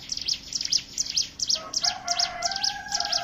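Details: Hill prinia song played as a lure to draw other birds into singing: rapid high thin chirps repeated more than twice a second, joined midway by steady lower whistled tones.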